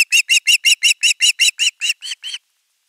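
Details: Osprey chick at a nest calling long for fish: a run of about twelve loud, short, harsh squeaky notes, each slightly rising then falling, evenly spaced, fading toward the end.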